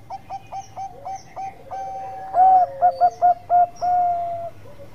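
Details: Bangkok-type zebra dove singing lively as a lure to set other doves calling: a run of short clipped coos, then a loud burst of quick pulsed notes and a long drawn, steady coo, with fainter doves answering.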